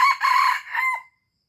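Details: Red junglefowl from Aceh, a lure recording: one brief, loud crow of about one second, broken into three harsh, harmonic-rich segments, the last slurring downward before cutting to silence.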